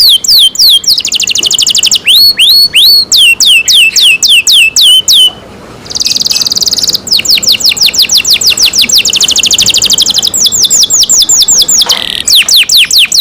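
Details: Canary cared for by its keeper, singing loudly: long phrases of fast descending whistled notes alternating with dense buzzy rolls, a brief pause midway, then more rapid trilling.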